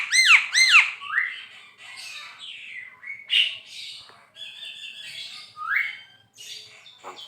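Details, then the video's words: Javan pied starling singing: opens with a pair of loud ringing nasal notes, then a varied run of squeaky whistles, rising slurs and rasping chatter. "JALAK KEBO GACOR"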